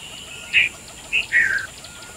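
A red-vented bulbul gives three quick, bright notes around the middle of the range, the last a slightly longer slurred phrase, over faint background hiss.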